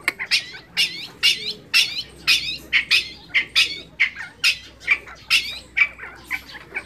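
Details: Scaled quail (Callipepla squamata), call.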